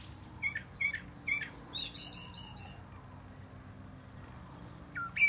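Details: From a plum tree, a common blackbird gives three short whistled notes spaced under half a second apart, then a high rapid chattering flourish, a pause, and a final rising whistle.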